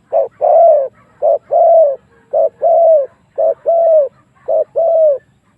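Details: Spotted dove coos played to lure wild doves into a fight, loud and clear: short clipped note followed by a longer, slightly falling coo, paired and repeated steadily about once a second.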